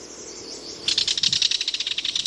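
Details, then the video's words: Kingfisher giving a quick series of sharp, high, clicking notes at an even pace for over a second, with soft outdoor ambience and a faint higher bird sound beforehand. "Listen To The Enchanting Call Of The Kingfisher Bird!"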